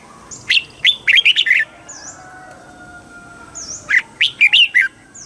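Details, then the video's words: Red-whiskered bulbul, Thailand, singing southern master style phrases for exciting birds and training young: two lively phrases of quick chirpy, up-and-down notes, with brief high V-shaped whistles between them and a soft background hum. "เสียงนกกรงหัวจุก ร้อง ริก เปิดให้นกฟัง ยั่วให้นกคึกจัด"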